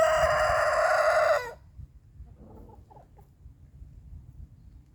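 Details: Morning crow of a rooster marking territory: the tail of a long, loud, harsh sustained note ends abruptly, followed by faint distant clucking-like sounds and quiet background.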